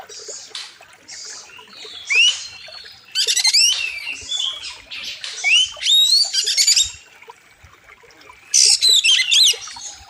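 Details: Oriental magpie-robin, a master recording for training birds, with a wild river setting. Short high notes open, then loud phrases of upslurred whistles and buzzy trills repeat with pauses of one to two seconds between bursts.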